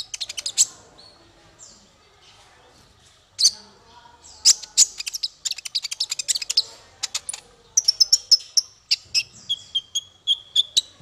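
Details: Male olive-backed sunbird singing for songbird training: scattered thin high notes build into a long, lively string of sharp chirps, then end in fast, evenly repeated ticks and short piercing whistles.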